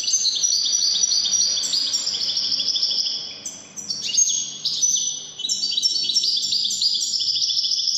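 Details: European goldfinch of the Widani type in full song: a continuous, rich stream of high tinkling twitters and sliding notes, with a brief dip and a sharp buzzy note midway before the fast warble resumes.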